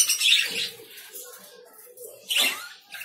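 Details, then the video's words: Lovebird calls: two harsh, high, rasping bursts about two seconds apart, with softer faint chatter in between. "Love birds sounds"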